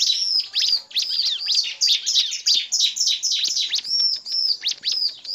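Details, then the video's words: Bar-winged prinia (ciblek) lure recording combining a calling male, a female and a chattering ciblek to get other ciblek singing: thin high chirps and sharp rising-falling notes in a dense overlapping stream, several birds at once. "suara pikat burung ciblek dan pancingan ciblek agar cepat gacor"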